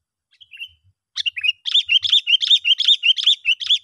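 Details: Sooty-headed bulbul lure call for drawing in other bulbuls: a soft trill and a few scattered notes, then a lively stream of quick, chirpy chattering notes repeated several times a second.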